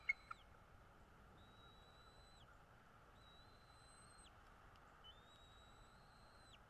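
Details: Morning recording from a northeast Florida bald eagle nest, 13 February 2022 at 08:08. Sustained thin whistles, level in pitch and each about a second long, come about four times with a sharp falling tail. There is a brief tap at the start and a quiet background.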